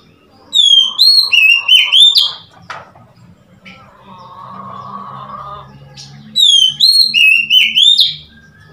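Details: On 3 March 2021 an Oriental magpie-robin sings two bursts of five or six loud, bright whistled notes, each swooping up or down. A low murmur and soft background noise fill the pause between the bursts.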